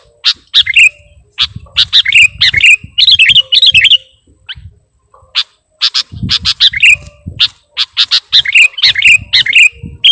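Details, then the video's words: Kutilang, the sooty-headed bulbul, singing energetically with a song packed with mimicked phrases: fast bursts of high chirping twitters separated by short pauses, with a brief quiet gap near the middle. "KUTILANG PIKAT || BURUNG LEGEND FULL ISIAN DAN GACOR"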